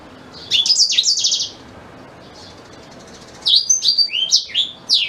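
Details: A black-throated canary sings a rapid, buzzy phrase of high notes, falls silent for about two seconds, then resumes with quick sharp downslurred whistles. The song is used to tutor a white-rumped shama.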